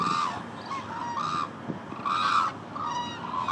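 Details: Hooded cranes calling at Izumi, Japan: clear, nasal honking bugles in short arched notes, repeated roughly once a second, a dense flock murmuring underneath.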